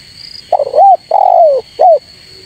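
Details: Spotted dove calling to draw rivals, a recording for training and luring birds: a three-part cooing phrase, short hooked coo, long falling coo, then a rising-falling coo. A faint steady high whine runs underneath.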